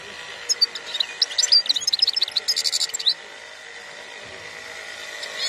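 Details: European goldfinch song: a fast burst of bright, high tinkling and twittering notes packed together for about two and a half seconds, then quiet, with a steady faint hum underneath.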